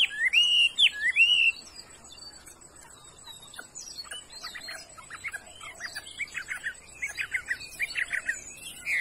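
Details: Chinese hwamei noted for a good voice opens with a loud wavering whistled phrase, then continues with quieter, scattered chirps and short slurred notes.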